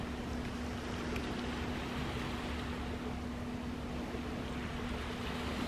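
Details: Steady broadband rumble and hiss with a constant low hum throughout, and no animal calls.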